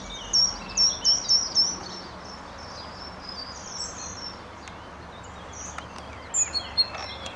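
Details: At Genk–Boxberg, Belgium, in May 2013, a Short-toed treecreeper gives four very high, thin, quick notes, then a brief pause and a few more, over a steady background hiss.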